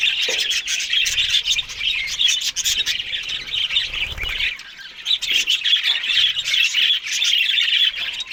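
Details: Australian budgerigars in the morning eating green food: dense, continuous chirping and warbling chatter from many birds, with brief sharp squawks and two short pauses, near 4 and 5 seconds.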